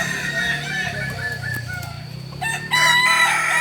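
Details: Balenggek crowing rooster in training at Ampang Kualo, Solok: drawn-out harmonic crow notes overlapping with other crowing and a steady low hum, growing louder in the last second.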